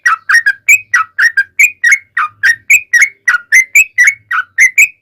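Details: Yellow-vented bulbul in lively long-trill song, intended to lure other bulbuls into answering; crisp, evenly spaced bubbly whistled notes, about four per second, each rising then dropping slightly.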